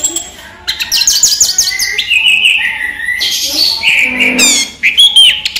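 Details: Daytime song of a caged orange-headed thrush: fast, varied twittering with rapid repeated high notes, slurred whistles and harsh scratchy bursts running almost without pause.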